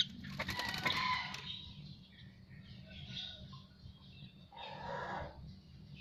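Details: Asian pied starling after bathing: a rasping, crackling opening followed by softer whistles and a harsh nasal phrase later on.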